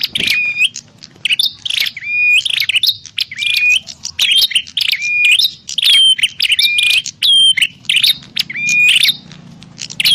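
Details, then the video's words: Lure recording of a prinia for bird trapping: rapid, nearly continuous chirping phrases, scratchy notes mixed with brief clear whistles, repeating every half second or so, with a steady low hum behind. "Suwara Burung Prenjak_klawu Buwat_Mikat"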